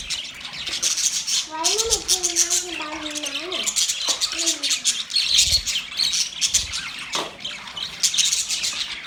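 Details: Budgies keep up steady high, twittering chatter, while a lower, drawn-out tonal voice with a wavering pitch runs for about two seconds in the early part and returns briefly later.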